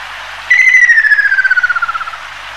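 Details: One ruddy kingfisher calling: a loud, pure whistle that drops gradually in pitch while becoming a fast tremolo of beats, lasting about a second and a half against quiet background hiss.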